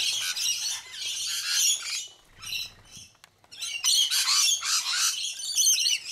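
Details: A noisy group of rainbow lorikeets in Sydney eating sunflower seeds. Harsh, high screeching chatter comes in waves, then a brief lull with a low rumble before the shrieking resumes.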